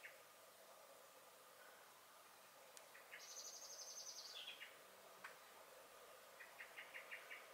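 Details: Common blackbird in a garden on 23 May 2021, singing and alarm-calling: a high pulsed trill sliding downward at its close, a couple of sharp clicks, then a short rapid series of chink notes.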